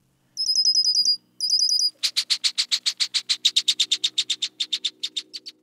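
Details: Red-winged Blackbird (Agelaius phoeniceus) alarm at an intruder near wetland: two bursts of thin, high, stuttering notes, then a harsh chatter of about 25 rasping notes, roughly seven a second, slowing at the end.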